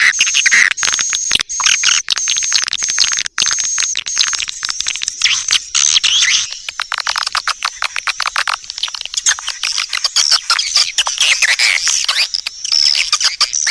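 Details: Swiftlet lure call: a steady high tone with twittering for the first half, then thinner scratchy, rapid chirps and ticks that carry on densely to the end.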